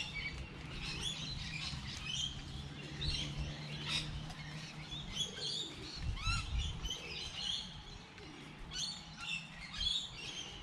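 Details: Several wild birds chirping on a light rainy day, bright high twittered notes and short trills overlapping through the whole stretch above a steady low rumble of background noise.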